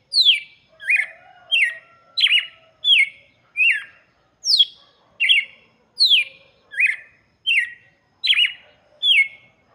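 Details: Red-cowled cardinal singing for chicks, delivering a brisk run of about fourteen clear whistled notes. Falling and rising slurs alternate, each note sharply separated by brief pauses, over faint low background hum.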